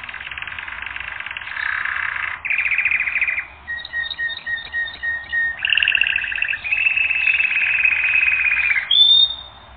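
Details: Canary song for training: buzzy rolling tours in blocks, a passage of tiny repeated high pips over a steady tone, more rattling trills, and a final clear rising whistle.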